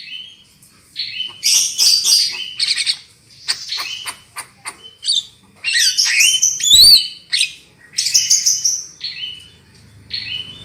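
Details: Black-winged myna singing on a lure recording to set other birds off: rasping noisy bursts mixed with clear flat whistles and one sharp rising slur, coming in clusters with short gaps.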